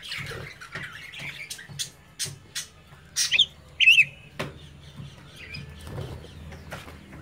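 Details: Caged budgerigar chicks at play with their parents looking on; scattered short chirps and clicks, then two louder warbled, wavering squawks near the middle, followed by softer sparse chirping and a low hum underneath.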